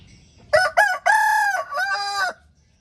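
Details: Rooster crowing: a loud, harmonically rich cock-a-doodle-doo in several strained syllables, two short opening notes, then a long sustained middle note and a falling, slightly lower final note, over a quiet background.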